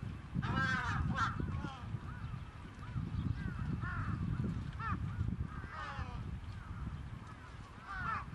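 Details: Trapped crows calling together: many overlapping short arched harmonic caws, rising then falling, in rapid irregular succession over a heavy low rumble of background noise.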